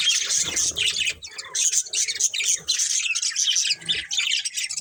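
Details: Continuous scratchy chirping and warbled chatter from a breeding pair of budgerigars, high and rapid with barely any pause, faint low knocks in the background.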